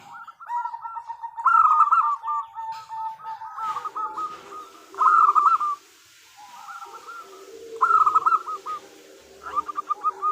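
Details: Zebra dove female, local bird, calling for a male as a lure: overlapping layers of rapid hooked coos, louder emphatic bursts every few seconds, a softer lower cooing voice running underneath.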